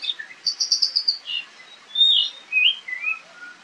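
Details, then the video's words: Oriental magpie-robin singing in agitated fighting mode in the wild, camera recording: a fast series of six or seven clipped high notes, then separate loud slurred whistles and a descending warble. "SUARA KACER NGOBRA DI ALAM LIAR..TARUNG GACOR"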